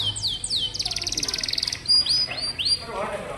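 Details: Canary song meant to stimulate young canaries: two falling whistles, a rapid pulsing buzzy trill, then several rising slurred whistles, with faint low murmuring near the end.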